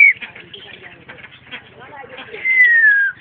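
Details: Caged Black-collared Starling met on a mountain hike, 14 March 2010, a species said to mimic other birds, gives harsh, jumbled chattering, then ends on a clear, slowly falling whistle; a voice may be speaking underneath.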